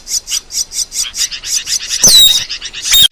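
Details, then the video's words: Asian glossy starling training song for luring: a steady series of quick, evenly spaced buzzy chips, then a loud burst of ringing, falling whistles. "Masteran Burung | Cucak Keling"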